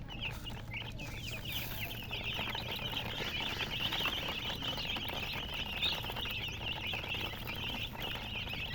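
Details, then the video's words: Many chicks chirping together in a dense, continuous chorus of high, quick peeping notes, overlapping without pause, with a low steady hum underneath. "silly chicken chirping sounds with murgi hen color chicken"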